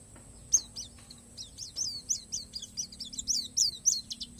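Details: Oriental white-eye of the Palas Borneo type giving a natural-fill song: a quick series of high, thin, slurred chirps, each sweeping down, repeated several times a second and growing louder toward the end.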